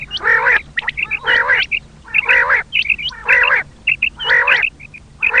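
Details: Common quail call used by hunters as a lure: harsh, nasal, stacked bursts repeated about once a second, each followed by short, bright, high pips, with a faint low hum beneath.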